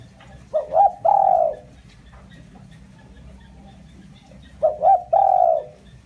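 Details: Decoy spotted dove cooing to attract wild birds: two quick, rising low notes followed by a longer, fuller coo, the phrase given twice about four seconds apart.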